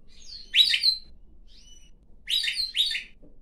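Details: Pet pine grosbeak perched on a hand and then on its owner's head, singing: bright warbled phrases, one early and two close together near the end, with a faint thin whistle between.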